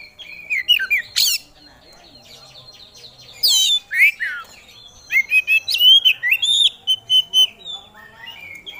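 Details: Oriental magpie-robin, a songbird kept for singing contests, singing a long varied song of its repertoire: rapid twittering, sharp downslurred whistles and a fast run of clipped, chattering notes near the end.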